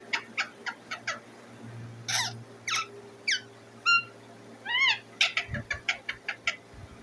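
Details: Pet Indian ringneck parakeet calling: a run of short, sharp chirps, then a few rising whistled notes, a burst of up-and-down warbled calls and quick repeated chirps, with a faint low hum behind.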